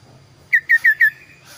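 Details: Kaso-kaso bird sings a short, very clear phrase of four loud downslurred whistles in quick succession, trailing into a thin fading tone.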